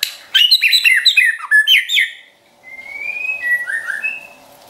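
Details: White-rumped shama song played to train and provoke a kept shama: a burst of rapid mixed whistles and chips, a pause, then long clear drawn-out whistles rising gently, over a low steady hum.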